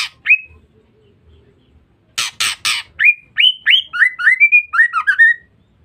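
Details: Female white-rumped shama, a call used to lure or provoke males: three rough rasping bursts followed by a quick run of about a dozen short rising and falling whistled notes.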